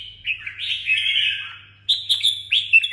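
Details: Red-whiskered bulbul from Đồng Nai, Vietnam, kept caged, gives a fluid gurgling warble, then after a short pause a crisp run of quick bright whistled notes, with a quiet hum behind.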